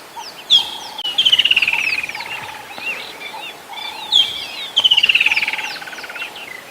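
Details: Many woodland kingfishers calling at sunset on 21 December, a summer-heat sound: a sharp high note followed by a long descending trill, repeated about every four seconds, with other birds chirping faintly behind.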